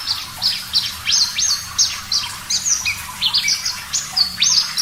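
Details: Javan bush lark (parva) in full song on a recording meant to train caged birds: bright, high chirps and slurred whistles, several per second, varied in pitch and delivered in lively bursts.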